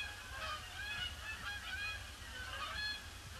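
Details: Canada geese in a large flock circling a pond before landing on a gloomy, grey Boxing Day; overlapping honks from many birds, nasal and harmonic, tumbling over one another about once a second, with low rumbling background noise.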